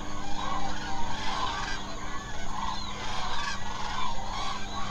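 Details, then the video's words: A large flock of common cranes at night in the Hula Nature Reserve wetland, Israel, a wintering site for migratory waterbirds, calling in a dense overlapping chorus of loud trumpeting and bugling notes with no gaps. "How many canes עגורים do you think are in the Hula Nature Reserve tonight?"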